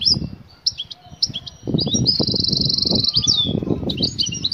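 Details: Excited female European goldfinch calling a male to mate, a call known locally as batbata: high twittering notes and a long buzzy warble, partly masked by loud low thumping and rumbling noise through most of the recording.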